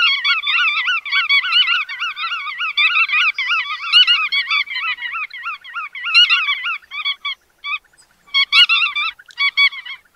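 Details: Bar-tailed godwit: a dense chorus of nasal, wavering, overlapping calls from several birds. They run almost continuously, then break into shorter bursts toward the end, with a sharp click near the eighth second.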